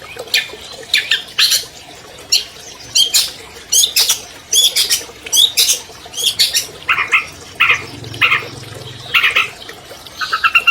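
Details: Captive albino long-tailed shrike, a champion bird used to lure quiet shrikes into song, giving rapid sharp ticks and scratchy chatter, then lower, hoarse, drawn-out notes near the end.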